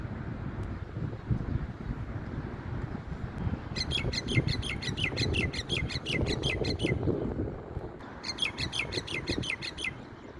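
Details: A myna climbing a pipe in strong wind that nearly knocks it over, looking left and right, gives two bursts of fast, harsh, chattering notes, each a few seconds long, over a steady low rumble of wind; one of its various calls.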